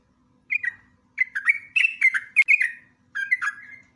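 A yellow-vented bulbul gives three quick bursts of bubbly, gurgling whistled notes, dropping slightly in pitch, over a faint low hum.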